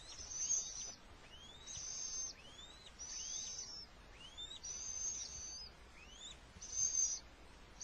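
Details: Little owl, with the male bringing food in the middle of an attack; quick upward-sweeping whistles about every half second, interleaved with high, rasping hiss bursts.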